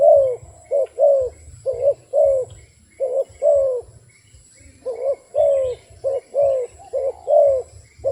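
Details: Two bursts of rhythmic cooing from a wild dove, each a string of paired notes, a quick hoot then a drawn, downward-bending coo. The bursts are separated by a short pause, over a low hum.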